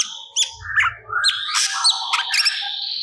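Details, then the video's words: A cucak cungkok in lively song, releasing mimicked phrases meant as training material for songbirds. Loud separate chirps and slurred whistles come in an irregular sequence, with a brief low rumble early on. "Burung Cucak Cungkok Gacor Muntahkan Materi Yang Di Simpan"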